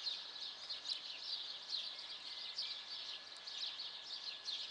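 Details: A dense morning chorus of many small birds in a town on 14 April around 7:15 am, with overlapping high twitters, trills and chirps running continuously and no single singer standing out.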